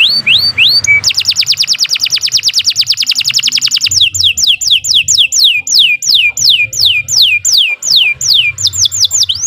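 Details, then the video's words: Long canary song used as a master recording for training: a few rising whistles and a flat note, then a fast rolling trill of many rapid notes, slowing into a steady series of loud downward-swept whistles about twice per second, over a soft low hum. "Kicau Burung Kenari 91 II GACOR PANJANG"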